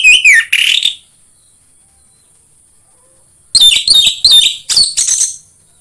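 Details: Orange-headed thrush singing as a lure to prompt kept thrushes to sing: two quick whistled, slurred notes, a pause of over two seconds, then a rapid run of bright, chattering phrases; a thin steady high hum persists.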